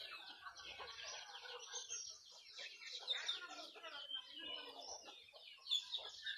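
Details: Several pet turkeys playing together, giving a dense, overlapping chatter of high, scratchy chirps and short yelping notes. The calls run on continuously with no clear pauses.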